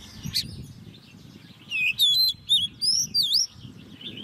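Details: Oriental magpie-robin, a caged bird hand-raised and ten months old, in competitive singing. After a quiet start, a run of five loud whistled notes comes in quick succession, each sweeping sharply up or down.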